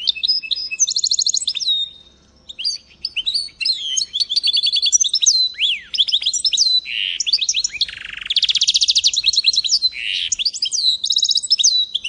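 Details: Goldfinch × canary mule singing a long, fast, varied song of high twittering notes, buzzy trills, sharp downslurred whistles and rapid rattling runs, broken by one brief pause near the start; no other sounds.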